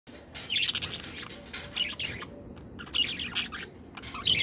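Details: Pet budgerigars chatter in the evening, as they do every evening, in quick, scratchy bursts of high chirps and warbles.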